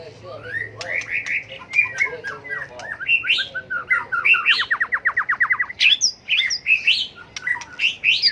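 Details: White-rumped shama fighting song, bird flicking its tail, used to train competitive singers: rich whistled phrases lead into a fast series of identical clipped notes, then resume with high warbling and sharp ticks.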